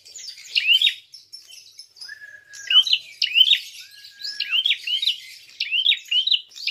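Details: Prinia fighting call meant to provoke other birds: sharp upswept chirps repeated in rhythmic pairs and triplets, interrupted by two long flat lower whistles.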